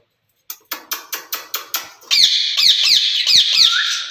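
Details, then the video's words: Caged ringneck parakeets described as speaking to each other in Urdu and Hindi. A run of sharp, evenly spaced clicking taps leads into continuous harsh, buzzy screeching, pulsing several times a second, ending on a short rising whistle. "Speaking Parrots in Cage"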